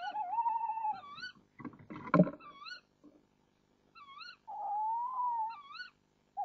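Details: Tawny owl pair on a nest camera at 05:08 on 1 April 2014; the male brings the female a mouse and chats with her from a branch before leaving. Wavering, tonal calls with rising-falling hooks repeat, broken by rustling scrapes midway.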